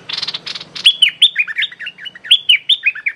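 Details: Decoy streak-eared bulbul calling at a captive female: a few rapid buzzy rattles, then a lively string of clear whistled notes, each sliding downward, repeated quickly.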